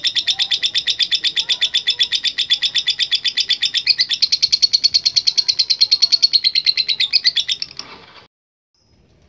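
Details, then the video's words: Lovebird's long 'ngekek' trill: a steady, rapid stream of piercing chattering pulses lasting about eight seconds, ending abruptly and followed by near silence. "LOVE BIRD GACOR NGEKEK PANJANG"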